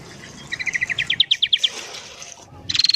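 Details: Sooty-headed bulbul morning song for luring wild birds: a quick run of clear chips, gently rising and then falling, ending in a brief buzzy trill.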